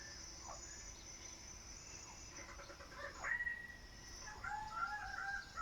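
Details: A displaying Raggiana bird-of-paradise at Weltvogelpark Walsrode gives nasal, drawn-out calls, one loud burst and then a run of wavering, slightly rising notes, over a steady high hiss.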